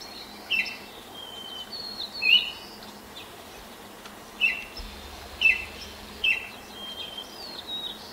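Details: Baltimore oriole singing at sunrise, 5:40 a.m. on 10 May 2024, in a neighbour's apple tree while hopping between branches and pecking; short clear whistled notes at irregular intervals, with thin high calls of other birds behind.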